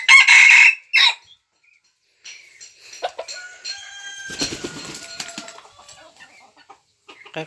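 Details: Red junglefowl used as a decoy, March 2020, ends a crow with two loud raspy bursts in the first second. Quieter rustling, clicks and thin whistled calls from other birds follow.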